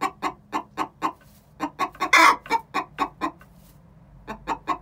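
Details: Egg song from a pair of six-month-old chickens before laying, with even, rapid clucks, a pause, one harsh, stretched squawk in the middle, then more clucking.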